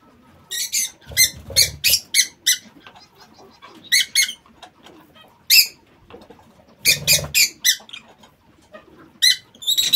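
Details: Lovebirds kept in an aviary give bursts of shrill, high, scratchy chirps in clusters of two to four, separated by short pauses, with soft low wing flutters and thumps beneath some bursts.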